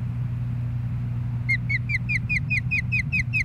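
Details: Osprey calling at a nest in Hellgate Canyon, Missoula, Montana, on 20 April 2016: after a quiet start, a rapid run of sharp, downward-slurred whistles, about two per second, over a constant low mechanical hum.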